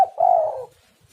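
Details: Spotted dove (tekukur) cooing as a lure for other doves: a single drawn-out, mellow coo lasting about half a second, faintly falling at the end, after a short clipped note.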